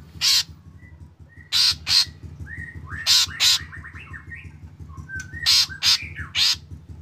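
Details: Black drongo lure song that sets other drongos singing. Harsh rasping notes in pairs alternate with short whistled and warbling phrases, over a low steady mechanical hum.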